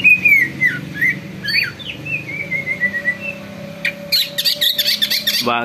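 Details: Greater green leafbird singing vigorously, its song said to spur other birds into singing and agitation; clear slurred whistles wavering up and down for about three seconds, then a burst of harsh, scratchy rapid notes, with a steady low hum underneath.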